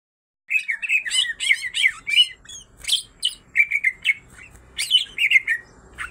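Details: Greater green leafbirds, a female and a male, both singing lively songs filled with kingfisher imitations: rapid bursts of chirpy, bending notes and short trills, broken by brief pauses and repeated in quick runs.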